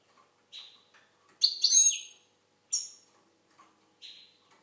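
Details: Algerian goldfinch giving a short, uneven run of high twittering notes, with one louder, sweeping trilled flourish in the middle, then sparse single chirps; quiet background.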